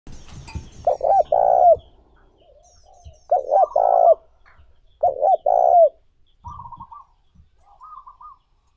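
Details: Spotted dove cooing, a recording used as a lure to provoke and attract other doves: three loud, low, mellow cooing phrases about two seconds apart, each of two or three hooting notes, then fainter higher trailing coos.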